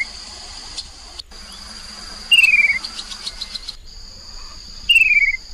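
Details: Chestnut-capped babbler lure sound recorded beside the Mekong River, Nakhon Phanom, Thailand, in 2021: two loud, rapid, descending trills about two and a half seconds apart over a steady high-pitched insect drone.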